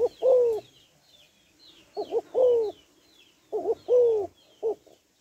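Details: Female spotted dove calling to stimulate males: low hooting coos, long falling notes alternating with short doubled notes, repeated about every two seconds; higher bird chirps faintly behind.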